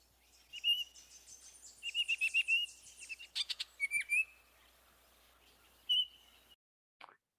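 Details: Baltimore oriole, a backyard blackbird, sings rich, flutey whistled phrases broken by brief chattering bursts over about six seconds, then one short final note.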